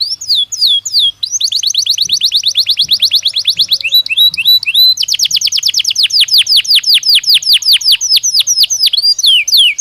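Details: Belgian canary singing naturally in a long, rapid, rolling trill of sharp down-slurred notes, a few swooping whistles mixed in, with faint low knocks in the background.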